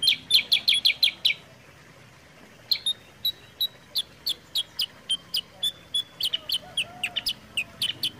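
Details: Sooty-headed bulbul recording for prompting and tutoring caged birds: a rapid run of loud chirps, a pause of over a second, then steady spaced chips that quicken again near the finish.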